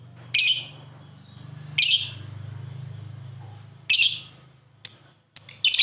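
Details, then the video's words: High, raspy chattering bursts from a lovebird, used to provoke other lovebirds to sing, with thin whistled notes near the end over a steady low droning hum. "Pancingan Suara Burung Love Bird Terbaru"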